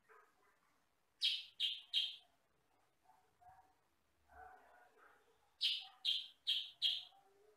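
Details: Sooty-headed bulbul of the kutilang sutra sort, with a fairly loud voice of one or two types: three sharp, harsh chirps in quick succession, a quieter pause with soft notes, then four more loud chirps.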